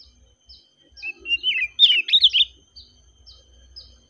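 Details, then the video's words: Oriental magpie-robin singing a relaxed song: a dense burst of bright, warbled whistles in the middle, framed by short, thin high chirps repeated about every half second against a quiet background. "KACER KICAUAN SANTAI NYA BIKIN HATI JADI TENANG"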